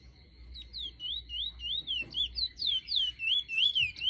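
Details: Large-billed seed finch in Trinidad, where it is called the Trinidad bullfinch, gives a fast run of clear, slurred whistles, about three per second, rising and falling, over a steady thin high whine.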